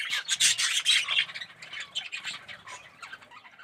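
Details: Budgerigars, red-eyed yellow birds, calling together in an aviary colony: a loud burst of harsh squawks and chirps at the start, then softer rapid chattering that fades.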